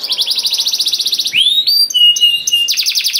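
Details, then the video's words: Canary song meant to draw other canaries into singing, opening with a fast pulsed trill, then sweeping whistled notes and a level tone before the rapid trill resumes. "Kenari Gacor Ngedur Ampuh Bikin Kenari Mana Saja Ikut Bunyi Gacor Ngerol"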